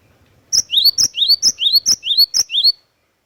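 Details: Great tit (glatik watu) delivering a lively, rhythmic song of about seven paired notes, a sharp high whistle followed by a lower upswept note, in a clean recording.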